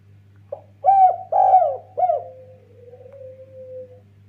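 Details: Spotted dove, a very vocal bird with the 'kuk 1' call style, used as a lure that stirs other spotted doves. One short soft note, then three loud low coos, then a long, steady, faint drawn-out tone. A low hum runs throughout.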